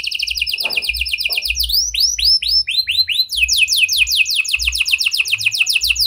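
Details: Prolific canary singing a prenjak and lovebird style, used as a lure to make reluctant canaries sing: rapid repeated high whistled notes, then slower looping rising-falling phrases, then a quick run of sharp descending chirps.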